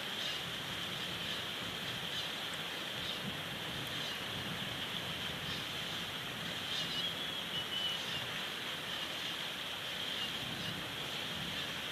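Steady broadband hiss and wind-like rushing from a nest camera, with no clear animal calls.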